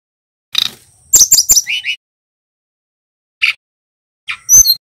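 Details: Young male brown-chested jungle flycatcher, described as endemic to Bali, practising its developing song. A scratchy burst opens, then three piercing high notes drop into two lower buzzy notes, followed by isolated short chips after a pause.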